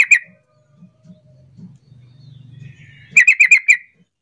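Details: Sooty-headed bulbul lure call meant to get other, quiet bulbuls calling and answering: one sharp chirp, a pause with faint low rumbling, then a quick burst of five bright, clipped chirps.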